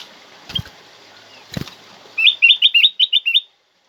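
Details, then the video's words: Song of a black-crested bulbul, played as a lure and tutor for other bulbuls: two soft wing-flutter thumps, then a rapid string of seven bright, rising-and-falling whistled notes. "Jadikan kutilang emas anda emosi dengar suara kutilang emas ini"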